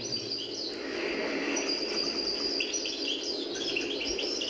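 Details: European goldfinch song played back from a recording, likened to a bird rehearsing a play before its audience; faint, rapid high tinkling twitters and trills with a steady background hiss.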